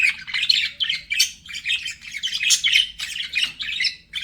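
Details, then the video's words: Flirting budgies in a busy, continuous chatter of raspy chirps, squeaks and buzzy warbling notes, fast and uneven in rhythm throughout. "BUDGIES FLIRTING"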